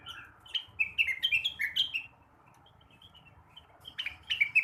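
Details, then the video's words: Blue-winged leafbird singing in the morning, kept to stimulate other birds: a rapid run of bright, varied whistled and chirped notes, then a quieter pause and a second burst of sharp chips near the end. "kicauan rengganis atau cucak wilis di pagi hari. cocok buat merangsang burung bahan"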